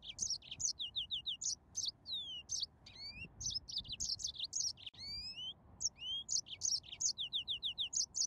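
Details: Continuous song of a yellow-fronted canary: fast runs of repeated high chirps mixed with rising and falling whistled slurs, delivered almost without pause.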